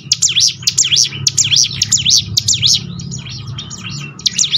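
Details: Bar-winged prinia training song for getting birds to sing more often: steady rapid high chirps, each dipping and rising sharply, fading briefly before a final loud note, with a faint low hum underneath.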